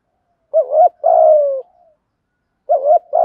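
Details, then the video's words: Spotted doves, cocks and hens, giving the 'giọng thổ' coo used for luring wild birds: a two-part wavering note, a long gently descending coo, a pause, then the phrase begins again. "chim cu gáy thúc gù giọng thổ"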